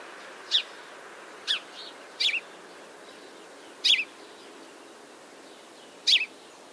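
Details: House Sparrow, an urban winter backyard bird of eastern North America, giving very non-musical chirps: five short cheeping notes at uneven intervals, some doubled, against faint background hiss.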